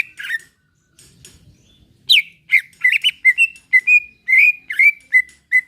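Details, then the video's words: Relaxed singing of a greater green leafbird, used as a prompt for other birds to sing. A short whistle and soft scratchy sounds, then a quick burst of clear, varied whistles with sharp upward and downward slurs. "Ampuh buat pacingan cucak ijo agar bunyi || lantunan santai"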